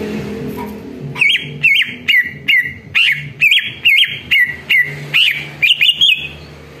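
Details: Greater green leafbird song used as a lure so leafbirds reply: a steady sequence of loud, looping whistled notes, each with a quick rise and fall, repeated roughly every third of a second for about five seconds.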